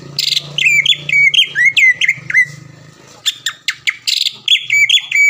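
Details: Caged greater green leafbird from Palembang, often a contest winner, giving a training song: loud slurred whistles and sharp chips in fast sequence, a brief lull, then renewed ringing notes.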